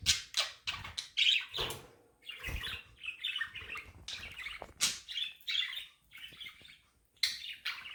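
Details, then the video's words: A group of pet budgerigars chattering indoors: quick broken chirps, scratchy warbles and short tweets, some louder clicks and gaps of near silence between phrases. "Budgies fun natural chirping | Parakeet sounds | bird chirping sound"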